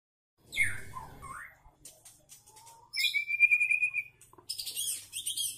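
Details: A captive spotted juvenile white-rumped shama (murai batu trotol), once poorly fed, sings as a lure for other shamas: a quick, varied phrase of rich sliding whistles, a held clear note, then buzzy high chattering twitters, with a low rumble at the start.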